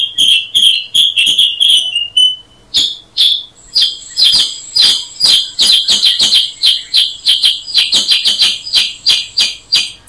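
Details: Black-headed Bulbul (Brachypodius atriceps) starting with flowing whistled chirps, then breaking into a dense, rapid chatter of short, bright notes that continues steadily to the end.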